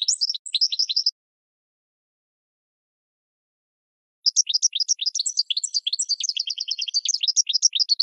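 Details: Goldfinch song for cage-bird training: a short burst of chirps, about three seconds of silence, then a long fast twitter of high slurred notes and rapid repeated trills.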